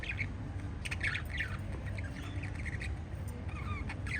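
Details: Five lovebirds trade harsh, squawky chirps in short bursts over a steady low hum.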